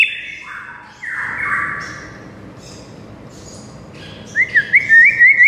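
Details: White-rumped shama sings a few lower slurred whistled phrases, then a quiet pause, then a rapid run of short rising whistled notes at the end.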